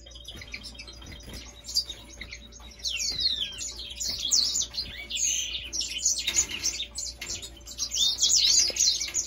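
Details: Grey singer singing: a quiet start, then from about three seconds a rapid, varied run of high twittering notes with sweeping whistled slurs and buzzy trills, almost unbroken to the end, over a faint steady hum.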